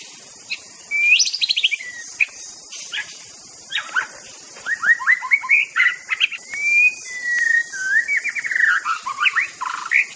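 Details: White-rumped shama (Copsychus malabaricus, murai batu) from Aceh singing a rich, varied run of clear whistles, fast rattling trills and sliding notes, over a steady high hiss.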